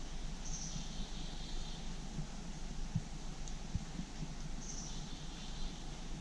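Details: A Black-capped Chickadee on a rainy day in forest on the New York–Pennsylvania border gives two faint chick-a-dee calls about four seconds apart: high thin opening notes, then buzzy dee notes, over a steady low rumble.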